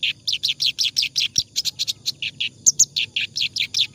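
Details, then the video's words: Continuous ngacor singing of a clamorous reed warbler, kept as tutor song for other birds: fast, regular harsh notes, roughly five per second, with two sharp high pips near the end. "BURUNG KERAK BASI NGACOR COCOK BUAT MASTERAN"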